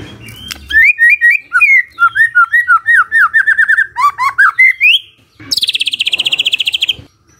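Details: Magpie-robin singing in the morning as a lure to get a quiet bird to answer: a fast run of rich, slurred whistled notes, many rising and falling, repeated in quick succession, then a buzzy, rapidly trilled phrase at the end.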